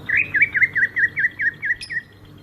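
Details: Sumatran greater green leafbird giving its ngerol rolling song: about nine quick dipping whistled notes repeated in an even chain, then a brief high chip at the end.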